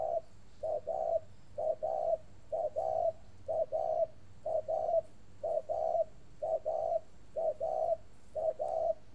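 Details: Spotted dove kept in a cage at a northern Vietnamese dove farm, cooing at length; soft paired notes, clipped first and sustained second, repeated about ten times at a steady one-per-second rhythm.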